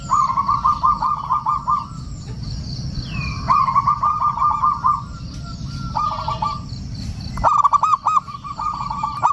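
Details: Male local zebra dove used as a lure to call rival males and settle stressed doves: repeated bursts of quick, bubbling coos, each phrase about one to two seconds, separated by short gaps, with constant low rumbling background noise.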